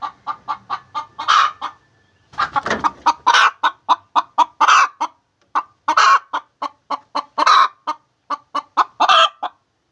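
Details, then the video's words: Hen calling while laying eggs: a loud cackling series of short clipped clucks, several each second, broken by longer drawn-out squawks every second or so, with a brief pause partway through. "The Sound of a Hen Laying Eggs"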